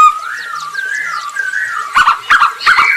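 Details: Masked laughingthrush, a bird kept in an aviary and used as a lure to draw other birds into singing, giving a sustained whistled warble that slides gently between notes, then a burst of harsh buzzy chattering notes near the end.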